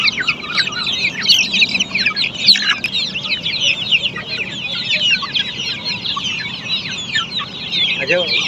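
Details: Black Australorp chickens at a poultry farm: a dense, continuous chorus of many high, shrill peeping calls overlapping without pause, with a few lower clucks.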